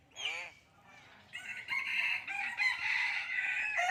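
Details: Common hill myna speaking human language: a short, wavering nasal syllable, a pause, then a long, raspy, word-like phrase of several joined syllables.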